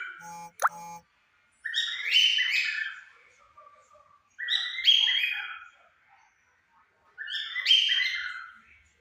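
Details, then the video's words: A pair of cockatiels, one white and one yellow, singing at 5 pm: three warbled, harmonic-rich phrases with quick up-and-down notes, about one every three seconds, with a brief click near the start. "casal de calopsitas cantando"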